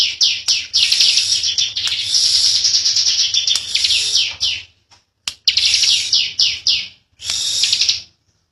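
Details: Young bar-winged prinia singing in the 'ngebren' style: a long, unbroken stretch of high, rattling buzz for over four seconds, then shorter buzzy bursts with brief gaps.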